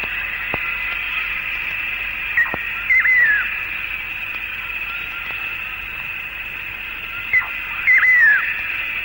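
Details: Malaysian eared nightjar in Malayan rainforest, recorded late 1950s–early 1960s, calls at daybreak or dusk while hunting insects high in the air: two clear, melodious phrases about five seconds apart, each a short note then a wavering falling whistle, over insect hiss.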